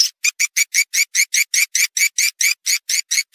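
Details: Edible-nest swiftlet lure call for the rainy-season breeding period: bright, buzzy chirps repeated steadily about two to three times a second, evenly spaced with short silent gaps, on a clean background.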